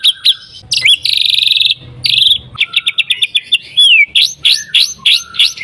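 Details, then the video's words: White-rumped shama song aimed at provoking other shamas, with clear whistles, buzzy sustained phrases, a quick series of short notes and a smooth descending whistle, then repeated sharp notes. "MURAI BATU GACOR AMPUH BUAT PANCINGAN MURAI BATU AGAR BUNYI CEPAT"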